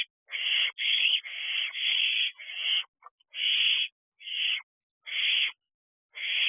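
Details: Nighttime barn owl owlets, two birds aged ten weeks, at the nest box in mid-June; long, noisy hissing screeches strung close together, then spaced out with short pauses toward the end.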